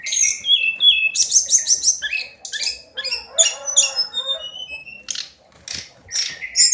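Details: Daily song of a hill blue flycatcher (tledekan gunung): a long, varied, fast-tumbling sequence of high sweeping whistles, chirps and buzzy trills, with short pauses between bursts.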